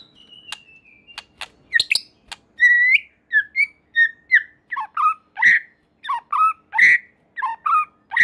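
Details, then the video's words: White-rumped shama singing vigorously, its song said to set off other shamas: a few sharp clicks, then alternating rich whistled phrases, low and high, delivered every half second or so. "Murai Batu Gacor Super Mantul Murai Lain Otomatis Ikut Bunyi"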